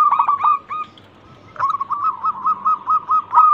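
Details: A prolific local zebra dove, used as a lure to start other birds singing, gives a few quick clipped coos. After a short gap comes a longer run of soft, evenly repeated rolling notes.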